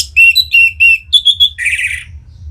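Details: Orange-headed thrush singing in Singaraja, North Bali, to coax other birds into song: three clear whistled notes in a row, a higher sustained whistle, then a harsh raspy burst.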